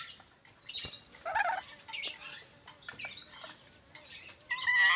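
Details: Ornate lorikeet from Sulawesi: a series of short, harsh, buzzy squawks in separate bursts over five seconds, with one higher, sharper burst at the end and quiet gaps between.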